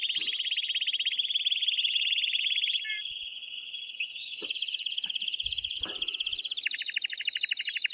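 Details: Canary male in full excited song aimed at prompting the female to mate; sustained rolling trills with a short pitch change mid-phrase, a few faint clicks in the background.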